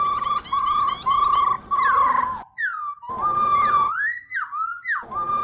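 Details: Female laughingthrush used to spur pet birds into song: steady whistled phrases broken by short gaps, a rising slur, then looping whistles that climb and drop, with brief silent pauses.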